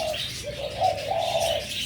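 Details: A young captive zebra dove just beginning training, with a still small voice, gives a soft, wavering coo that rolls through a few gently rising and falling notes, with a faint background hiss; recorded 10 December 2024.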